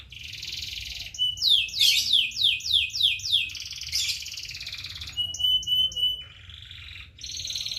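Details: Bird song of bright, varied phrases: rapid descending slurred notes, sharp chirps and steady whistled tones high in pitch, changing every second or so, over a constant low rumbling hum.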